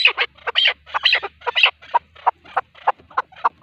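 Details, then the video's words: Male partridge call for hunting, heard as loud clustered chuck-chuck notes that slow into single evenly spaced clucks about three per second. "Avcılık için erkek keklik sesi | Ov üçün erkək kəklik səsi | partridge call for hunting"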